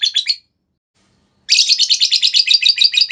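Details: Ngekek chatter of a lovebird, used to lure and train other lovebirds: a short burst of harsh notes, a second of silence, then a loud fast run of scratchy high notes, about three per second.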